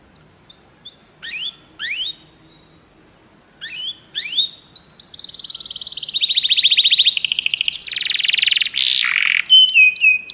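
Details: Canary song played to prompt a pet canary to sing. Scattered sharp chips build into a long buzzy trilled tour, then a harsh raspy burst and clear whistled notes near the end.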